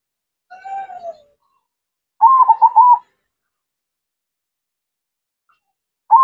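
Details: Zebra dove (perkutut) in active, full voice: a low drawn-out coo with a falling end, then after a pause a bubbling, trilled coo phrase of rapid pulses, a new phrase starting at the close.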